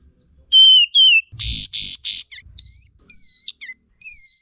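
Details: Olive-winged Bulbul song used to lure and train songbirds: falling whistles, a trio of rasping buzzy notes, then several higher, clear whistled phrases with brief low thumps.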